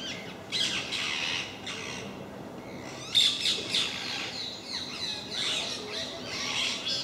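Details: A group of parakeets that regularly visit a park screech over one another in a racket: harsh, grating squawks in overlapping bursts, louder around the middle, with no quiet gaps.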